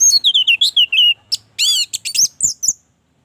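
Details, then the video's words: Orange-headed thrush singing as a lure for caged birds: a fast string of descending whistled notes, then harsh buzzy high bursts and sharp whistles, with a faint low hum beneath. "Anis merah gacor, pancingan Anis merah agar cepat gacor"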